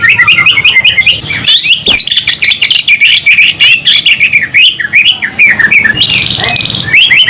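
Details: White-rumped shama singing, meant to stir fighting spirit and emotion; rapid, overlapping sweeping whistles and chattering notes run on without pause, with a harsh burst near the end.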